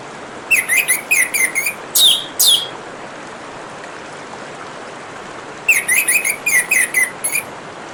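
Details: Over the constant rush of running water, an orange-headed thrush gives rapid strings of short, bright chipping whistles and two louder, harsher notes, then falls silent before another quick string of notes.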